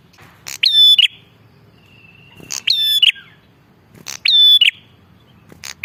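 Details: Energetic bar-winged prinia recorded as a lure. Three loud, metallic, harmonic bursts with clicking starts come about every one and a half seconds, joined by a thin level whistle between them.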